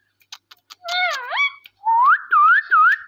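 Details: Pet parrot talking with its owner: a few soft clicks, then a bending, harmonic-rich speech-like phrase, followed by three loud whistled notes that swoop down and rise again in a repeated pattern.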